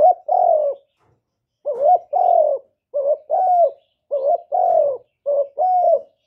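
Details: Repeated cooing of a spotted dove, a brief bent note then a drawn-out softer coo, the pairs coming in quick succession after a short gap, mellow and low-pitched with nothing else audible.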